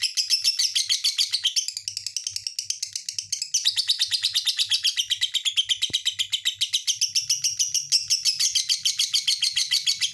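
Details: Lovebird pouring out an energetic, nonstop stream of shrill twitters and scratchy squeaks, quick chirps packed closely together throughout, with a faint low hum underneath.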